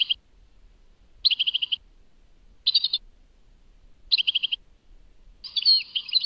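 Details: European goldfinch, Tadmait: short trilled bursts of five or six quick notes, each under a second, repeated about every one and a half seconds with quiet gaps. The last burst is more tangled and twittering.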